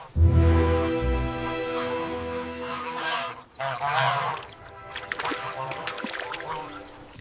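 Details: A goose flock on a farm, opening with a deep, loud honk and followed by layered, nasal honking calls that overlap and fade. Scattered clicks and noisy bursts sound later.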